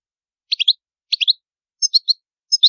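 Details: European goldfinch in the old Palermo Sicilian singing style, noise-free recording: four evenly spaced clusters of two or three sharp, high tinkling chirps, nothing else audible.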